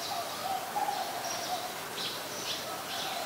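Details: Adult zebra dove recorded in Ubon Ratchathani, Thailand, on 13 May 2022. It gives soft, low, quavering coos in short phrases. Higher chirps from other birds are scattered throughout, over steady outdoor background noise.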